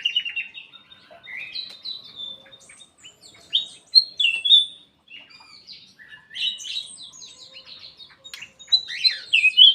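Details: Black-capped bulbul singing in an aviary, a lively sequence of clear whistled and chirped notes, some dropping in pitch, delivered in irregular bursts with short gaps between.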